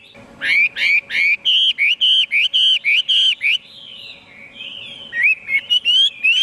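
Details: Chinese hwamei repeating a quick series of identical hooked whistles about three per second, then a softer wavering passage and a new run of rising notes; faint steady hum.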